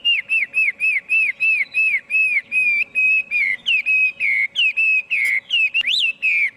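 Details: Chinese hwamei singing, no background noise: a regular string of mellow arched whistles, about three per second, shifting into longer slurred and wavering notes near the end.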